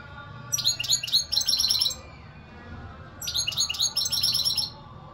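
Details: European goldfinch song: two bright, rapid runs of high tinkling, twittering notes, each lasting over a second, with a short pause between, clear over a low steady hum.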